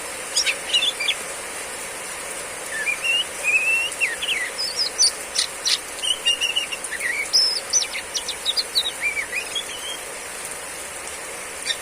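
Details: Female oriental magpie-robin singing in the riwik ngeplong style during heavy rain: clear whistled notes, slurred rising and falling phrases, and quick chirps over a steady hiss of rain.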